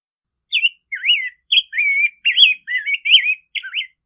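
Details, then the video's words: Singing rose-breasted grosbeak, a clear continuous phrase of eight or so mellow, slurred whistled notes that swoop up and down in steady succession, no other sounds. "Rose-breasted Grosbeak Singing - Degollado/Picogrueso Pechirrosa Cantando"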